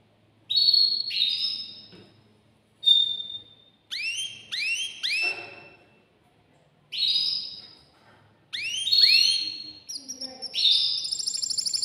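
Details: Male canary, caged and excited, singing to prompt a female to mate; separate bursts of clear whistles and upward-curving glides, each group a few seconds long with silent gaps, ending in a buzzy rattle.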